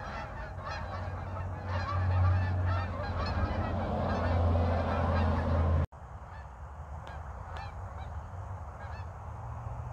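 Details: Flock of geese passing overhead in North Idaho during a snowless winter: loud overlapping honks for about six seconds, then an abrupt cut to quieter, more distant honking over a constant low hum.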